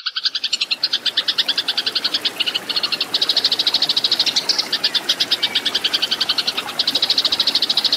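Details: Fighting song of a Eurasian tree sparrow, used to train cage birds: a rapid, unbroken run of sharp high chirps, roughly two to three per second, with brief gaps and a low background hiss.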